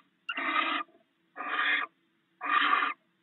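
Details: At the nest, barn owls share rats brought in by the male overnight; three loud, rough hissed screeches of about half a second, spaced roughly one second apart.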